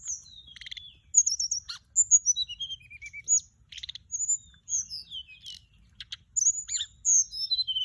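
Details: High-pitched warbling of a Mugimaki Flycatcher used as a lure sound, with rapid trilled notes, falling whistles and scattered sharp ticks in near-continuous bursts.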